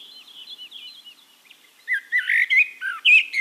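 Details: Castricum, the Netherlands: quiet wavering high chirps of a distant bird, then a Eurasian blackbird bursts in with loud rich whistled and warbled notes and a squeaky flourish.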